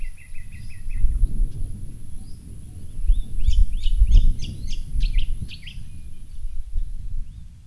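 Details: At Fogg Dam wetland near Darwin, Northern Territory, Australia, a comb-crested jacana with newly hatched chicks: a quick run of five short piping notes, then a burst of sharp repeated chips, over steady low background rumble.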